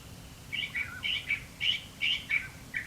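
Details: California Thrasher, recorded in the mountains by a deployed song meter, singing a run of short, varied chirpy phrases about twice a second, warbled and mid-to-high pitched, over a faint low hum; a mountain quail is also in the background.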